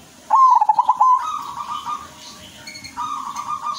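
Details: Silver zebra dove singing actively: a fast, stuttering run of low cooing notes that rises slightly, followed by softer, steady warbled coos and a second cooing phrase near the end, with faint chatter from other birds in the background.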